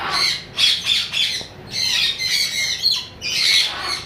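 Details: Harsh, raspy screeching from a lory parrot, delivered in thick grating bursts of about half a second, separated by brief pauses.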